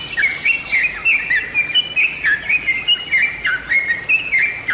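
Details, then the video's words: Bird-lure recording of Yellow-vented bulbul: brisk, bubbling song of bright slurred chirps, about four a second in loose clusters, sustained for nearly five seconds. "masteran atau pancingan suara burung trucuk/trucukan/crukcuk/jogjog"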